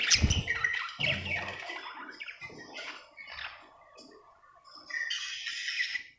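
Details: Cheerful budgerigar giving scattered chirps and scratchy chatter with pauses between bursts, along with low thumping sounds.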